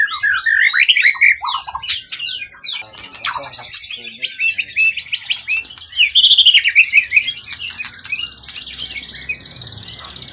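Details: Long-kept forest bird for song contests, tail at least 20 cm, in good form: loud looping whistles and chatters, then a quick rattling trill and thin high buzzy notes.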